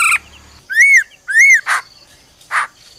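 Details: Female laughingthrush 'ro ro' calling to arouse a male: two arched whistled notes rising then falling, each followed by a rough, harsh burst.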